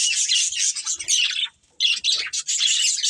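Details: Breeding pair of budgerigars chirping, bursts of high scratchy twitters and squawks with a brief silent gap around one and a half seconds before the chatter resumes.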